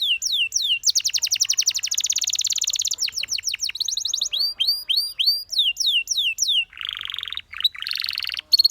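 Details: Singing canary meant as a training melody: quick repeated notes give way to a bright dense trill, falling swoops, looping chirps and a low buzzy roll near the end.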